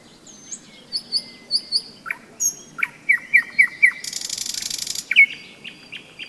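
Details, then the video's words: Nightingale singing its May trill on a stormy-season day beside the Seversky Donets river, recorded at a rest stop on a hike; varied clear whistles, rapid repeated notes and a harsh buzzy burst, loud and close, with faint low background noise. "Майская трель соловья"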